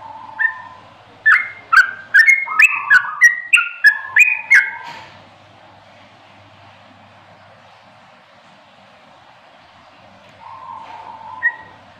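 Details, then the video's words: Ropelan singing from a sooty-headed bulbul: a quick burst of around a dozen liquid, slurred whistles over four seconds, then a quiet stretch with soft hum and a few final notes near the end. "suara burung Trucukan ropelan full"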